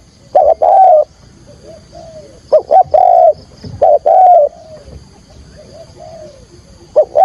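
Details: Spotted dove decoy calling in 'thúc gù' style to draw wild doves to a trap. Mellow three-part coo phrases repeat about every one and a half seconds, with soft low coos in the gaps.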